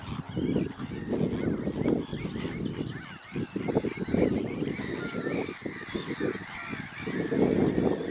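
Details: Harsh, nasal croaks from a glossy ibis come in clustered bursts, with faint higher whistles of other birds in the background.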